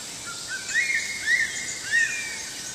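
A crested serpent eagle gives three loud, clear, arching whistles, each rising then falling, about half a second apart. A steady high insect hiss runs underneath.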